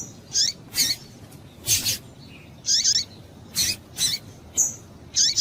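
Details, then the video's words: Double-collared seedeater female giving her calls to excite males: short harsh high-pitched bursts with thin rising squeaks, uttered at uneven intervals of roughly half a second to one second. "fêmea de coleiro quente para esquentar coleiro"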